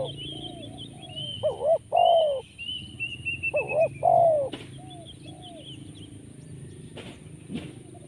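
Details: Spotted dove cooing at a trapping spot near a graveyard: two rolling, burred coo phrases early on, then near silence with a few soft clicks. Thin high twittering from other birds sits in the background.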